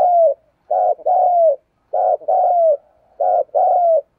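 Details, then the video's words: Spotted dove from a keeper's decoy bird giving low, mellow coos in repeated phrases: a short note followed by a longer falling coo, three times in four seconds. "Tiếng chim cu gáy thúc gù"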